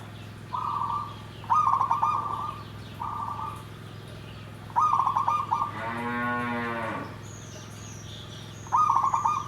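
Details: Perkutut (zebra dove) singing nggandem gedhe garing: repeated short trilled coo phrases, some smooth and some stuttered, separated by pauses. A separate low, harmonic, moaning sound breaks in midway, and a faint high whistle is heard later.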